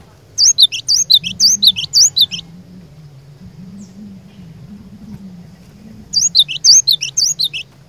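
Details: A cinereous tit sings as a lure to provoke rival tits: two phrases of rapid high see-sawing two-note whistles, separated by several seconds of steady low droning background noise.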